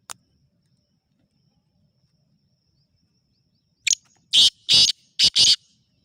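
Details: Black francolin giving harsh, rasping notes after a quiet stretch: one brief scratchy note, then two longer grating bursts and a shorter pair, in quick succession.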